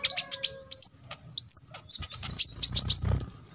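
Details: High sweeping whistles and sharp chirps from an olive-backed sunbird, rising slurred notes mixed with quick tweets. Its full 'tembakan isian' song is meant for other sunbirds to learn and copy for contests.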